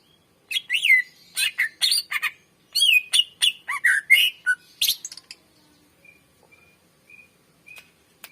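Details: Greater green leafbird song for luring and training other birds: about four and a half seconds of loud, varied whistles, buzzy notes and chips, then soft short whistled notes at wide, uneven spacing.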